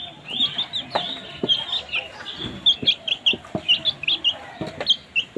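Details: Baby chicks make noise while eating. Rapid, high, clipped peeps repeat several times a second, growing busier toward the end, with light taps and knocks of pecking underneath.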